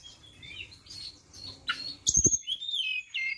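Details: Flowerpecker lure sound: faint high twittering, then a few loud knocks followed by clear, thin, slurred whistles that rise and fall.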